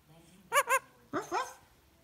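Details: A pet Indian ringneck parakeet (Rose-ringed), asked "what's a doggy do?" in the evening, mimics a dog with two quick, rasping "ruff" barks. A short burst of rising, speech-like voice follows.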